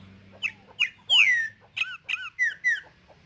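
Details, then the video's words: Green-winged saltator, tempera viola song type, singing in nature: a series of short downslurred whistled notes, one longer sweeping whistle, then paired slurred notes, with a faint low hum behind. "CANTO DO TRINCA FERRO TEMPERA VIOLA NA NATUREZA"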